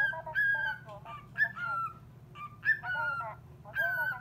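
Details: Household cockatiel answering a call-centre operator's recorded voice with quick, varied whistled notes, some sliding down, some broken into short chirps, in uneven bursts over a low background hum.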